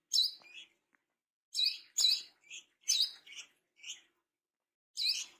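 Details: Tame, actively singing brown-throated sunbird: bright, sharp chirping notes in short bursts, each burst a quick cluster of high twittering elements, separated by brief pauses over several seconds against a quiet background.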